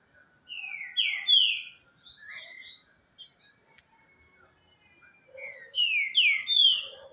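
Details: Caged Green-winged Saltator (trinca-ferro) in Brazil, brought to another keeper's house so two birds sing against each other: clear whistled phrases of slurred, falling notes, a pause, then the phrase repeated, with a faint steady tone beneath.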